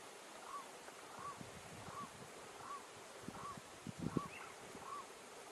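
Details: A Blue-eyed Ground Dove (Columbina cyanopis), feeding in Minas Gerais, Brazil, gives short, soft, arched notes repeated steadily about every 0.7 seconds, with a brief higher note from another bird and low rumbling thumps.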